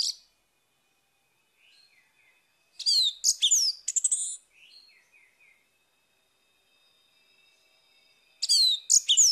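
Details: An orange-headed thrush sings in the morning, a lure for a stalled bird: an energetic burst of varied high whistles and chirps trailing into softer notes, then silence, and a fresh rapid phrase near the end.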